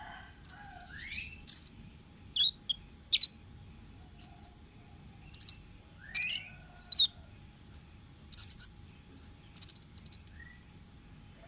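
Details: Orange-headed thrush from the wild, recorded as lure song, with a varied, broken phrase of high whistles, swooping rising slurs and sharp chips, spaced irregularly, and a fast trill near the end.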